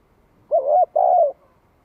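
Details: Two deep, mellow coos from a spotted dove used to provoke rival birds. The first is slightly rising and the second is long and level, separated by a brief pause.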